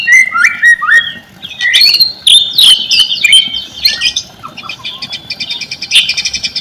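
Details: Lure song of a white-rumped shama meant to rouse quiet birds: whistled phrases slide up and down, then give way to fast buzzy trills and clipped chattering notes repeated several times a second.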